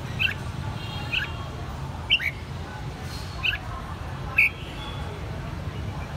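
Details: Captive red-whiskered bulbul, Saigon, reared from a young bird: short clear whistled notes repeated roughly every second, the last one louder, against noticeable low rumbling background noise.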